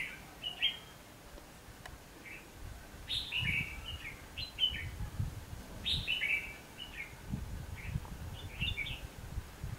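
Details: Red-whiskered bulbul singing during trapping on 19 November 2015: clusters of chirpy, slurred whistled notes in short phrases with gaps between, over low rumbling and thumping noise.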